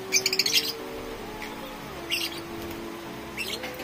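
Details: A caged opaline African lovebird that refuses its partner while mating gives harsh, high chattering bursts in three short clusters, with a steady low hum underneath.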